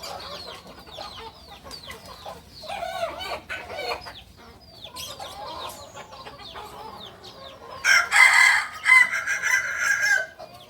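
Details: Native kukuak balenggek rooster of Solok, West Sumatra; busy chirping of small birds fills the first part before a loud, long, stepped crow with several linked syllables near the end.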